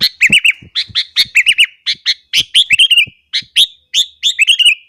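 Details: A sooty-headed bulbul delivers vigorous morning song to provoke other bulbuls, repeating chattering phrases almost without pause, each a sharp chip followed by looping, bubbly whistles.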